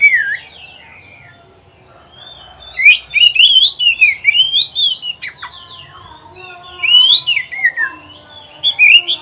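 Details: Oriental magpie-robin (kacer) in song for training pet birds: a long varied stream of whistled, swooping notes and sharp chips, rising and falling, after a quiet opening.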